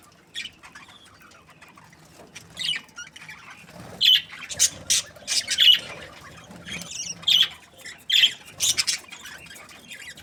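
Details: Budgies give separate short, sharp squawky chirps, spaced irregularly a second or so apart, over a quiet background.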